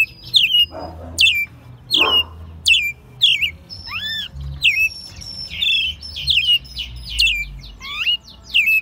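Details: American robin, a captive pet raised from a chick, singing in Mexico City in March 2020, its second singing spring: a quick series of bright, high chirps and slurred whistles, several notes each second, with short pauses between phrases.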